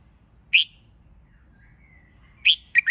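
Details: Red-whiskered bulbul used to stimulate competition singing: a loud, sharp chirp, a soft thin whistle drifting in the pause, then another chirp followed by a quick pair of clipped notes.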